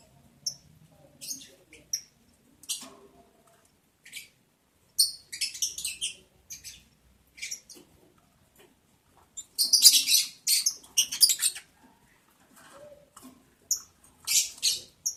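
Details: Lovebirds in the breeding season, during mating, giving scattered thin, high chirps and brief shrill twitters, quiet at first and then in denser bursts.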